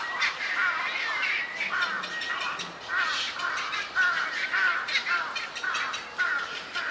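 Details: Black-crowned night heron (Nycticorax nycticorax) chicks at a cormorant and heron colony on a bird island where Yokojukken Shinsui Park meets Sendaiborigawa Park, 1 June 2023: a steady chorus of harsh, raspy, overlapping calls, about two per second.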